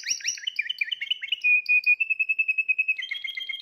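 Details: Spanish Timbrado canary from the 2020 season in loud, close song. It opens with swooping warbled notes, then settles into a fast, even, bell-like rolling trill and ends on a lower, doubled trill.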